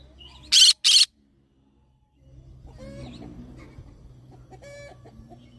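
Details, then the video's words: Green-cheeked conure gives two loud, harsh screeches in quick succession, then softer clucking chatter over a low background hum. "green cheek conure parrot sound"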